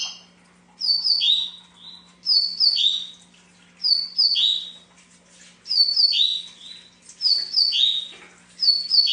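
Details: Double-collared seedeater singing a short whistled phrase, high notes falling into a slurred lower note, repeated about every one and a half seconds; a faint steady low hum underneath.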